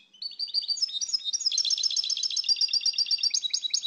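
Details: European goldfinch in full song, a loud, continuous, fast twitter of bright metallic chirps and trills running without pause from start to finish.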